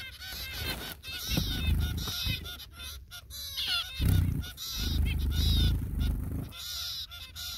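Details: Zebra finch parents feeding their chicks; buzzy, nasal calls come in quick succession over a heavy low rumbling and thumping of movement.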